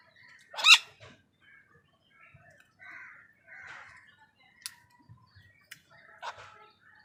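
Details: Crow fighting wild birds for food utters a sharp, hoarse caw near the start, then a harsher croak later, with scattered chirps, short squawks and clicks from the other birds in between.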